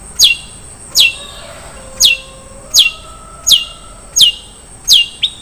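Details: Long-tailed shrike singing a song with rich 'isian mewah' fill. Sharp, high notes sweep steeply downward and repeat about every 0.7 seconds, with a steady thin high tone behind them.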